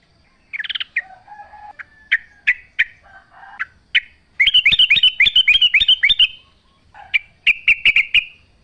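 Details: Wild sooty-headed bulbul sounds scattered sharp chips and soft lower notes, then a loud, rapid burst of bubbly chattering, followed by a brief quick trill.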